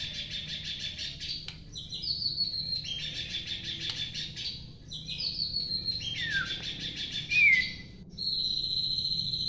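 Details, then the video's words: Long-tailed White-rumped Shama delivering high, fast trilled phrases, repeated buzzy notes broken by short pauses, with a few sharp downward whistled slides near the end over a faint low hum. "MURAI BATU EKOR PANJANG TOP BANGET!"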